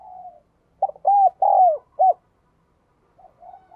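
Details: Spotted dove used as a decoy, giving one loud cooing phrase of four notes, the middle two long and arched. Faint soft coos come before and after.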